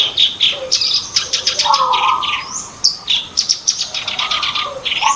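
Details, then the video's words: Black-browed reed warbler singing, used as a trapping lure. Loud, jerky phrases of buzzy, chattering notes alternate with sharp rising squeaks, and short flat whistles sound in between. "pancingan burung kerak basi alis hitam"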